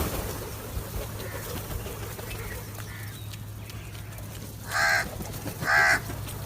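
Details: After several seconds of low background rumble, a crow breaks in with two loud, rasping caws about one second apart.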